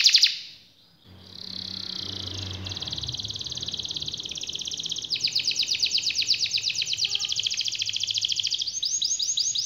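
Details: Canary gives a brief loud note, pauses, then launches into a long continuous rolling trill. It grows faster and more chattering before ending in bright, rapid, pulsed notes.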